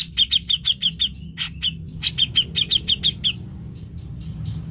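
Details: Cucak jenggot, a lure recording used to stimulate a reluctant bird to sing: a fast series of sharp, bright chirps repeated about three to four per second, a short pause, then another chirp run, over low background rumble.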